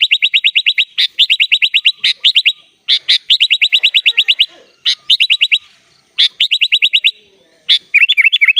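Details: Sooty-headed bulbul delivering 'gacor full isian' song as fast, machine-gun-like runs of bright chip notes in bursts of about a second. Brief gaps separate the runs, and a warbled twitter closes the passage.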